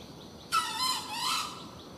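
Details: A single long crow from a junglefowl, recorded while hunting: an abrupt, strained, squealing call rich in overtones. It lasts about a second, dipping and swelling before it fades, against a quiet background of insect buzz.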